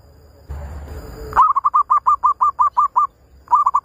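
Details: Trapping lure of zebra dove calls: after a brief rasping noise, a fast, even run of about a dozen short, bent cooing notes, then a fresh series starting.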